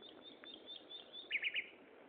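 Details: Common nightingale singing at Gaasperzoom on 16 May 2012 at 15:30: a few faint high notes, then a loud burst of three quick chirped notes near the end, over a steady background hiss.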